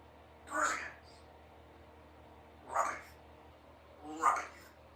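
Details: Three short, husky, speech-like utterances from a 3-year-old female Congo African grey parrot practising words at home, spaced about two seconds apart over a steady low background hum.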